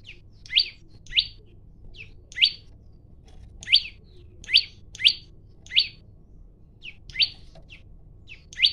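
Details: Olive-backed tailorbird male in full song, calling out to fight, captured on a mobile phone: bright, piercing rising chirps, some in quick doubled pairs, around forty-six per minute at an uneven pace, with softer notes between them over a quiet low background hum.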